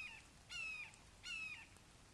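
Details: Red-shouldered hawks in Wake Forest, morning of 29 May 2023, a father bringing a fledgling a frog. Two drawn-out, slightly falling nasal cries, each about a third of a second, spaced under a second apart.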